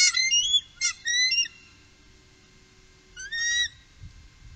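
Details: Bald eagles, three together on the Upper Mississippi in 2018, give a few quick, sharp squealing chirps early on, then a pause and one final rising squeal, over a faint steady hum.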